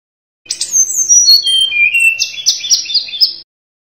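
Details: Sunda robin, known locally as tledekan gunung, in full lively song: high clear whistles sliding downward, then a run of short bright repeated notes at about two per second, with no other sounds.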